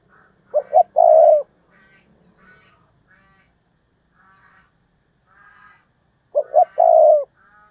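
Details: Decoy spotted dove calling 'thúc bổi' to bring in wild doves. Two full phrases about six seconds apart, each two short low notes then a long coo. Other birds chirp and twitter between phrases.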